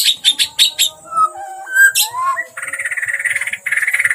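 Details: Agitated white-rumped shama delivering an energetic song: quick high staccato notes, then varied rising and falling whistles, ending in a fast buzzy rattling trill repeated in two bursts.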